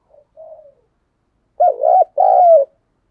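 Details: Decoy spotted dove calling to provoke wild birds: a faint low coo, then after a pause a loud close phrase of two quick throbbing notes and a drawn-out, gently falling final coo.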